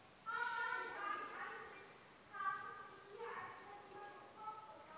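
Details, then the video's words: A female common blackbird at her nest mimics children's voices strikingly realistically: three short, rich, harmonic phrases that rise and fall like a child talking, separated by brief pauses, in a quiet setting. "Amselweibchen immitiert Kinderstimmen täuschend echt"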